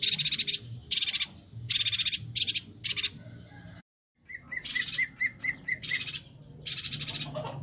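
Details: Energetic Bornean yuhina for songbird training: rapid buzzy, rasping bursts in close succession and a brief silent gap, then more rattles. A short evenly spaced run of lower clear whistled notes sounds alongside.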